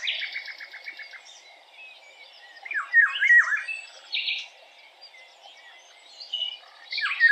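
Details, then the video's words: Eurasian golden orioles singing short, loud, slurred fluty phrases that drop in pitch, mixed with quick chattering and buzzy notes from other songbirds. "canto de la oropendola europea"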